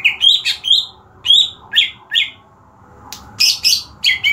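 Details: Green leafbird being readied for singing contests. It delivers energetic, chattering phrases of slurred whistles and buzzy chips, repeated several times a second, over a low background hum.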